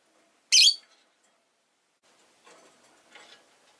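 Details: Rosy-faced lovebird on a calm afternoon lets out one loud, piercing harsh chirp, followed by faint rustling and soft shuffling noises.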